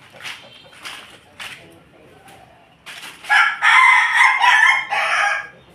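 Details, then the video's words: Domestic Pelung and Bangkok crossbred chicken crowing: a few short, soft clucks spaced about half a second apart lead into a loud, drawn-out crow lasting over two seconds, rich and harsh, broken into several pulsing segments before fading. "ayam ku ayam pelung Bangkok persilangan"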